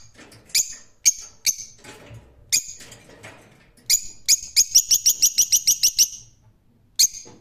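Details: Rose-ringed parakeet calling with scattered harsh screeches, then a fast run of about ten evenly spaced shrill notes, ending with one final sharp shriek.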